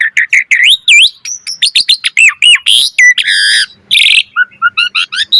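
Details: [["Asian pied starling in full, energetic 'gacor mompa' song with varied phrasing: loud whistled notes, rising and falling slurs, rapid chattering bursts and harsh buzzy squeals in quick succession, no other sounds."]]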